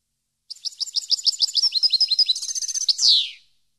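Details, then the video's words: European goldfinch song meant for training captive birds: a steady series of quick, tinkling chirps speeding into a trill, closed by a loud descending buzzy slur. "CD Canto Para Educar Jilguero"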